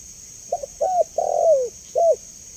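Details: Spotted dove calling as a lure and training sound: a soft double note, a rounded coo, a long descending drawn-out coo, then one closing coo, over a continuous thin high hiss.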